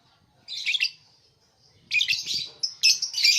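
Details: Lovebird giving shrill, high-pitched chattering calls in three bursts of rapid scratchy squeaks, separated by short silences, with a few sharp piercing notes near the end.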